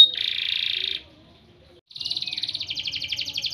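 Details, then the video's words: Champion canary training song: a dense, even buzzy trill lasting about a second, a silent gap, then a quicker pulsing rolled trill of high notes. "CANARY 'S SINGING VIDEO MOST POWERFUL SONG FOR CANARY TRAINING"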